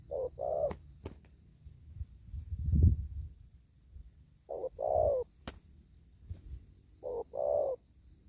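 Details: Spotted dove in an upland field giving đồng thúc gù coos: three separate short-then-long falling coo phrases spaced several seconds apart, with sharp clicks and a low thumping noise between them.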